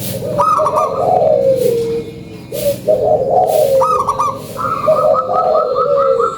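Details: Local zebra dove (perkutut lokal) lure song, continuous rolled and trilled cooing phrases overlapping, several in succession, over a busy noisy background with faint other sounds.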